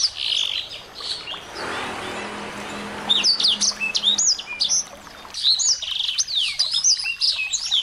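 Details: Small birds in a recording meant to excite a white-rumped shama: short high chirps, masked by a burst of broad rushing noise for about two seconds, then sharp twittering and whistled slurs return clearly.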